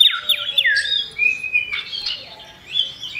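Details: Common iora (cipoh) song, male and female, used as a lure for other birds: clear downward-sliding whistles open the phrase, followed by a long steady whistled note, then a burst of mixed chirps and a high trill.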